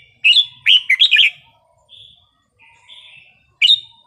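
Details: Red-whiskered bulbul singing its wild-style song (phleng pa), used to excite birds: a burst of rich, warbling whistled notes, then soft quieter notes, and a final loud rising whistle.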